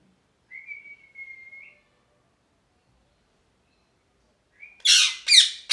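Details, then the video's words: A long, steady, thin whistle ends in a brief upturn. After a long silence, a short whistle leads into three loud, harsh parrot squawks. "Parrot Chirping Sounds | Natural Parrot Sounds | Parrot Calling Sounds"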